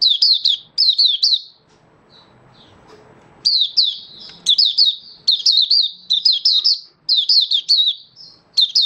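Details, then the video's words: Malaysian Oriental white-eye kept as a songbird, delivering fast runs of bright, high chirps in groups of three to five, with a quiet gap of nearly two seconds midway. "Malaysian Mata Puteh Happy Buka Sing"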